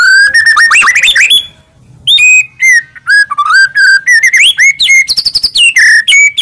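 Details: Full-isian masteran song of a white-rumped shama: a fast jumble of twisting whistles, a short pause, then varied clear whistled phrases, some slurred downward, others rising, delivered in lively sequence.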